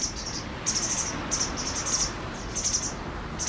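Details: White wagtails, a pair with five young after fledging, calling: shrill, very high twittering notes grouped in clusters of three to six, separated by short pauses, over a soft low hum.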